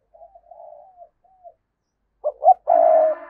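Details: Captive decoy spotted dove cooing to lure wild doves: soft, low wavering coos, a pause, then a louder three-part coo ending in a drawn-out note.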